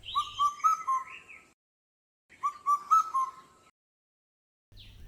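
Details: Indian cuckoo, a migrant that comes in spring from India, China and Southeast Asia to Bangladesh to breed, gives two phrases of its four-note whistled call, known as 'bou kotha kao', the phrases about two seconds apart.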